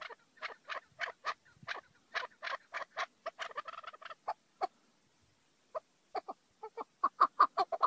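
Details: Chukar partridge calling: a rapid series of short, harsh clucking notes, roughly three per second, broken by a brief pause midway, then resuming in a louder, quickening burst; no other sounds.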